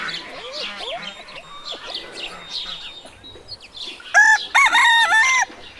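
A rooster gives a loud, drawn-out crow after a stretch of spoken narration.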